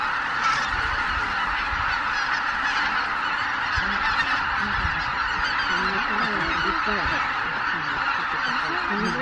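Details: Roost departure at dawn by over 83,000 Greater white-fronted geese at Miyajima-numa, 23 April 2017, in poor weather; mostly a dense, roaring chorus, with clearer honks breaking through in the latter seconds.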